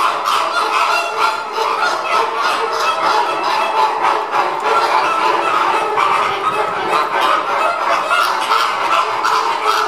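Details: Many Caribbean flamingos honking during feeding, a thick, unbroken babble of nasal goose-like calls and clucks from a crowded flock, steady in loudness from start to finish.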